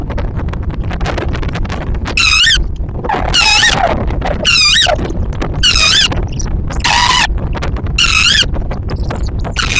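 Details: Tawny owl at a nest at Liszkowo with chicks and an egg, the male arriving with food: harsh, wavering squealing calls in bursts of about half a second, repeated roughly every second, over steady crackling background noise.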